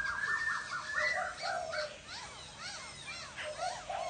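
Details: Chattering laughingthrush song built from rapid arched and swooping whistles, some rising and falling in quick loops, delivered in busy bursts over a steady hiss of background noise.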